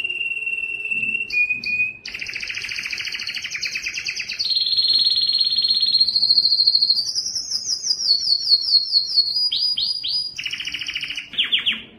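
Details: Loud breeding song of a Belgian canary attracting females: a long varied sequence of rolled trills stepping up and down in pitch, from steady buzzy passages to quick downward-sweeping notes near the end.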